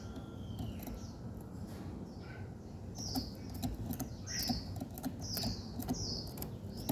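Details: Morning bird calls: a quick series of short high chirps repeated roughly every half second, with clicking taps and a steady low background rumble.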